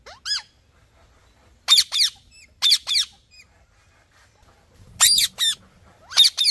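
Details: A single rising squeak from a green ringneck parrot, followed by repeated pairs of harsh screeches, with a soft low hum underneath.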